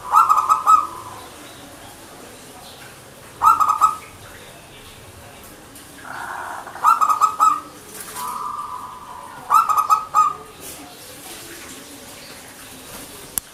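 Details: Local zebra dove (perkutut) in manggung song, giving short rolling coo bursts about every three seconds, some with a crackling edge, separated by quiet pauses with faint background noise.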